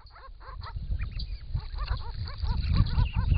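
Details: Wild Grey-crowned Babblers, a group of six, bathing and drinking at a pond in regional Victoria, Australia, in hot summer weather, camera trap; quick repeated arched, slurred notes, several per second, above heavy low splashing noise.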